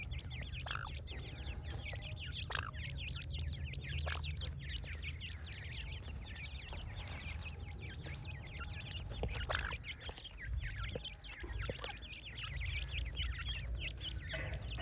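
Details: Many francolin chicks cheep nonstop, a dense shrill chorus of short slurred notes, with occasional louder chirps and knocks against a constant low drone.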